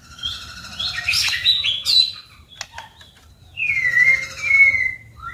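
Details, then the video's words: Competitive singing of a white-rumped shama: bright high whistled notes with buzzy flourishes, clicking sounds in the middle, then a clear, slightly falling whistle repeated twice. "chòe lửa hót đấu, đập tạch căng lửa"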